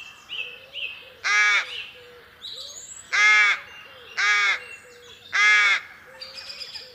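A rook gives four harsh, hoarse caws, each about half a second long and spaced roughly a second apart, with faint chirps from small birds in between.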